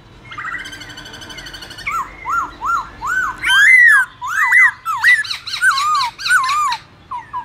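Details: Black-throated laughingthrush forest song for teaching young birds: a soft buzzy opening, then repeated arched whistles building into loud, swooping warbled phrases and scattered short notes.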